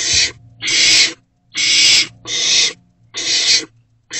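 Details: Loud rasping hisses from a barn owl chick inside a nest box late at night in March 2024, just after prey delivery, repeating rhythmically about every 0.8 seconds with brief silences between.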